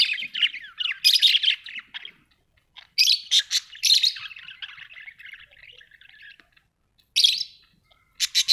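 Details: Budgerigars kept as pets at home, chattering in rapid scratchy chirps and short buzzy bursts, with quieter warbled twitters between louder outbursts.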